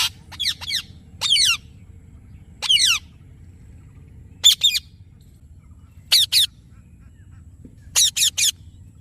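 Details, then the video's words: Rose-ringed parakeet uttering harsh, high, sweeping screeches, single or in quick pairs and triplets, at uneven intervals over a steady low hum. "Amazing Ringneck Parrot Natural Sounds"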